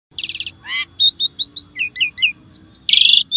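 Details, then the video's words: Jalak, a starling, singing to prompt caged birds: varied rapid phrases of whistled upslurs, short chirps and harsh buzzy bursts, mostly high-pitched, with a faint low hum beneath. "Kicau Burung Jalak | Cocok Untuk Pancingan"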